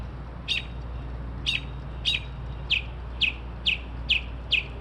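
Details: Bird singing in the small hours, 2:30-3:00am, mimicking car alarms, sparrows and other sounds; a rapid series of sharp chirps that speeds up into quick, falling, downslurred notes, over a steady low hum.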